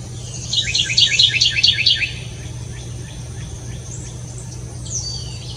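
Bewick's Wren: a quick burst of high, buzzy trilled notes over about a second and a half, then fainter repeated chips, with a low steady hum behind.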